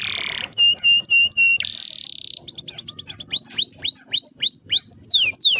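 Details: Long-rolling canary song played to prompt young canaries to sing, with varied phrases: a buzzy note, repeated steady whistles, a sustained high buzz, a fast trill, then downward-sweeping whistled notes.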